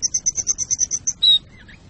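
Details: Canary song aimed at readying breeding birds and tutoring chicks: about ten very high piping notes in quick even succession, then a brief buzzy note and a soft falling chirp.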